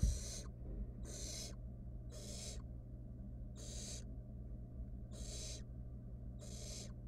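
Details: Wild barn owl nestling in a monitored nest box, recorded by nest camera: long, harsh, hissing screeches of about half a second, repeated roughly every second, over a steady low electrical hum.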